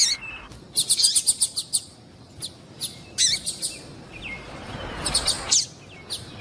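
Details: To get a male singing, a female double-collared seedeater calls with a fast series of sharp high chirps. A quieter stretch with soft sliding whistles follows, then another brief burst of chirps.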